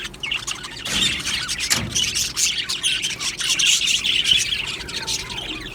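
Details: Australian budgerigars in an aviary colony, described as happy, chattering together: a dense, continuous wash of high chirps, squeaks and warbles overlapping throughout with no pauses.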